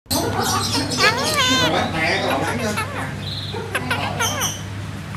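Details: A talkative pet red-breasted parakeet chatters in a string of speech-like phrases, warbling and wavering in pitch, over a steady low electrical hum.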